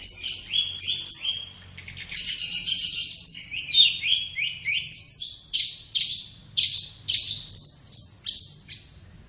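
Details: Flowerpecker master song for training captive birds in the morning or afternoon: a long stream of sharp, high descending chips and quick trills, repeated in fast irregular bursts.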